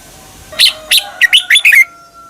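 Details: A red-whiskered bulbul in Thailand gives a quick, bright phrase of about six liquid, bubbling whistled notes, some rising and slurred, lasting just over a second; the song is played to cage birds for them to copy.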